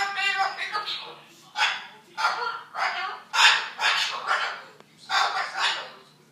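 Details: A cockatoo imitates an arguing couple: a run of raspy, shouted, speech-like bursts about every half second to second, loud and harmonic, like a heated exchange.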